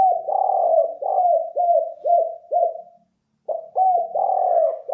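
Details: Spotted dove lure call: a run of husky, bouncing coos, each note dipping at its end, repeated about twice a second. The run breaks off, pauses for half a second, then resumes.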